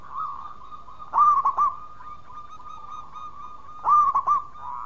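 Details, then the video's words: Loud local zebra dove singing among answering doves: two strong rolling triple-coo phrases about three seconds apart, with softer sustained cooing from other birds in between. "Raja Suara Keras Perkutut Lokal Gacor Sekali Bunyi Ikut nyaut Semua"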